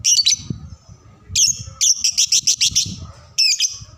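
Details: High, piercing lovebird chirps for training young birds: an opening squeak, then a rapid chattering burst of six or seven quick notes, and a final shrill call, over low rumbling background noise.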